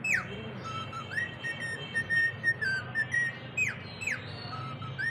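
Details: Cockatiels whistle a series of steady, level tones broken by sharp descending swoops, about two notes per second, with low background hum throughout.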